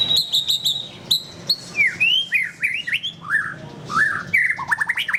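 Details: White-rumped shama giving a rich, varied song: quick high chips, then a run of clear rising and falling slurred whistles at mid pitch, closing with rapid rising notes.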